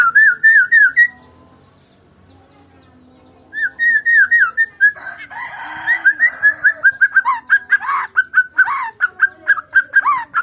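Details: White-rumped shama, Medan variety, singing alone: loud looping whistled phrases, a pause, then a long rapid stream of varied whistles and harsh chattering notes.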